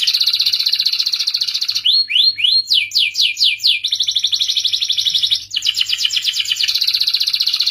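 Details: Agitated canary song meant to encourage males toward mating and singing, with dense high rolling trills, a few quick upward-sweeping notes, then rapid falling and pulsed tours that run almost without pause, over a faint steady hum.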